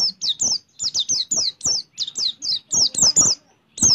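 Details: Oriental white-eye pouring out a speedy 'roll tembak' song with prinia mimicry: clear high downslurred whistles repeated in quick pairs and triplets, briefly pausing before a final note.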